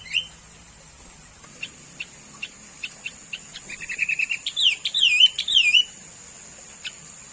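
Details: Sooty-headed bulbul (kutilang, cangkurileng), a common bird found around people, giving a run of short chirps that builds into bubbly, wavering whistled phrases around the middle, then a lone chirp; steady high hiss throughout.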